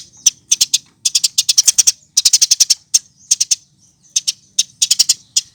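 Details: Gacor Eurasian tree sparrow used as masteran tutor audio: clustered, shrill, high chirps in rapid groups of three to six, spaced by brief pauses, steady throughout.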